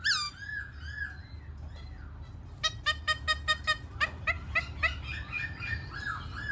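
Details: Black-throated laughingthrush in song-and-dance display, opening with a few curving whistles, then a quick series of short, bright, evenly spaced clipped notes over a steady low hum.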